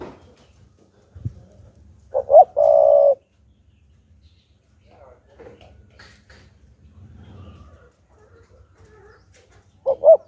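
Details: Decoy spotted dove giving its full provoking song to draw wild doves: one phrase of two quick notes and a drawn-out coo, then a partial phrase at the end, with faint soft noises between.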